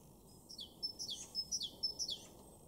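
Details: A Great Tit in a garden in Weener, East Frisia, Germany, April 2023, gives three loud, high, ringing phrases, each a sharp note falling into a second, spaced about half a second apart.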